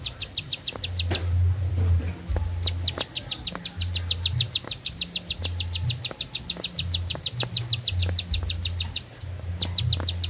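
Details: Bar-winged prinia song: bursts of fast, high, ticking notes broken by short pauses, then resuming in long even runs, with a steady low hum beneath.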